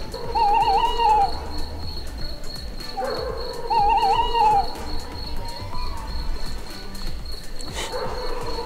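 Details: Owls in the wild at dusk near a forest road, two birds arriving from north and east and calling to each other; wavering, quavering hooted notes about a second long, repeated roughly every three and a half seconds, with music throughout.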